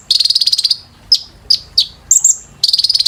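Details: Sunbird (kolibri ninja) song played to train caged birds: a quick, rattling high trill, three separated sharp chirps, a pair of piercing notes, then another fast buzzy trill.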